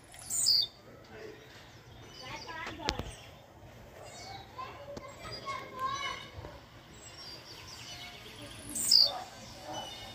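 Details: A captive male blue-black grassquit, recently put back on its perch around 3 pm and out of its singing season, gives two short, high, buzzy song bursts about eight seconds apart, over faint background birds and a man talking quietly.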